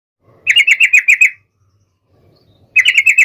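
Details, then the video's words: Sooty-headed bulbul, a caged singing bird, calling to a rival: two bursts of about eight quick, bubbly, slightly buzzy notes, each burst lasting around a second, separated by a silent pause; clean recording with no other sounds. "SUARA trucukan gacor MEMANGGIL LAWAN"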